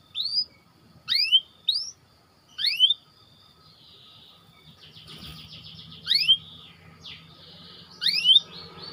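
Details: White canary, recorded as training bait for other canaries, giving a run of rising whistled chirps, a soft buzzy trill in the middle, then more upslurred chirps.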